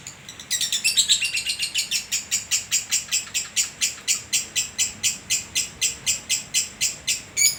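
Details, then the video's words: Prize-winning lovebird from Sragen in long-duration ngekek, a song said to last over two minutes: dense burst of high chatter easing into steady rhythmic high pulses, roughly four per second, unbroken to the end. "Burung Lovebird durasi panjang 2 mnt kadang konslet"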